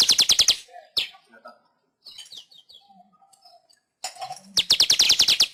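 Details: Weaver song recorded as master audio for pet bird training: fast bursts of rattling chirps repeated several times per second, separated by a quiet gap of faint scratchy notes.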